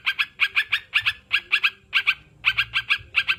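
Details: Sooty-headed bulbul with lively paired and tripled chirps, sharp and bell-like, repeated rapidly with short pauses. Used to coax kept birds into singing. A soft low hum lies behind.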